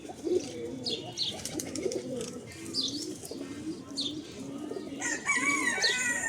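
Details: Farm pigeons, a red male and another coloured male courting one white female: a run of repeated low throaty coos, several a second, then higher chirping calls from other birds near the end.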